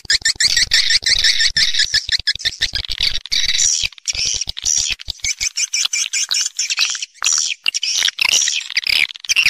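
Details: Swiftlets in a roosting lure recording, a continuous buzzy, chattering twitter from many birds with rapid clicks mixed throughout, the harsh notes swelling and fading in irregular bursts.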